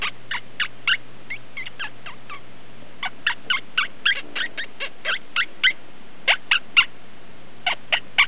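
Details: Indoor pet quaker parrot, female, burrowing and playing beneath bed covers, making quick runs of short clipped chattering notes, several per second in uneven bursts with brief pauses; low electrical hum in the background.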